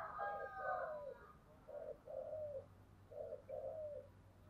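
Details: Spotted dove in giọng thổ song, soft low coos in three paired phrases, each a brief hoot then a drawn-out falling note, about every one and a half seconds; a higher bird call overlaps the opening and a low hum runs throughout.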